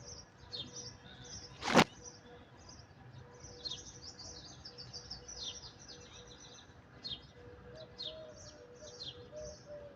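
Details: Small birds chirping outdoors: scattered high, quick chirps and short trills throughout, one loud sharp click near the start, a steady low hum underneath.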